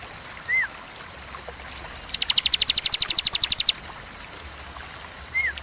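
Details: Bar-winged prinia, ciwah cigun type, giving a 'tembakan' burst song: clear, sharp and spaced. One fast trill of about twenty high, even notes lasts under two seconds. Two brief upslurred whistles from another bird sound before and after it, over faint background hiss.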